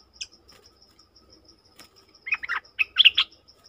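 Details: Streak-eared bulbul, 20 March 2022: a sharp note, a pause, then a rapid burst of several bubbly, slurred chirps, accompanied by soft regular ticking.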